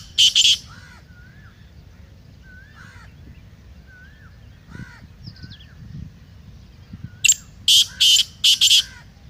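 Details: Black francolin call, played to excite a kept bird into calling and into chakri: harsh, grating notes in short bursts, one at the start and then four in quick succession near the end, with soft whistled notes from other birds between.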